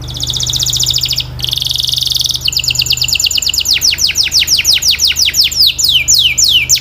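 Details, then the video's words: Canary song for practice: two rapid buzzy trills separated by a short break, followed by a long run of clear downward-sweeping whistled notes gradually spreading out, with faint low background hum. "The Most Popular Canary Singing 2025!! Sweet and Clear Voice"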